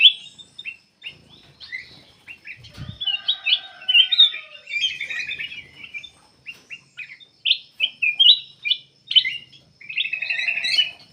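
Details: Black-capped bulbul, a captive bird, singing full and steady, played to lure other birds into singing: rapid bursts of bright chirps and short warbled phrases, some trilled, in quick runs with brief pauses, plus a faint steady high tone in the background.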